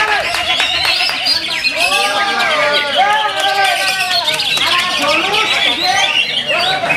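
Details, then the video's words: Several greater green leafbirds sing at once in a song contest, a dense, continuous tangle of loud, arched whistles and rapid chattering phrases, with a man's voice speaking underneath. "Adu Tembakan & Durasi Cucak Hijau"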